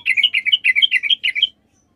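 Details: Sooty-headed bulbul song, recorded for use as a lure to draw answers from other bulbuls: a quick run of about eight bubbling, warbled notes that rise and fall, delivered in a brisk burst lasting one and a half seconds, then silence.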